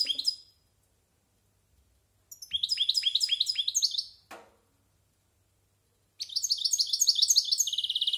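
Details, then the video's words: European goldfinch over a year old, a silvestrismo bird with good, varied song, practising: loud bursts of rapid tinkling, twittering notes, with a fast chattering trill near the end and short silent gaps between phrases. "Cante de Jilguero"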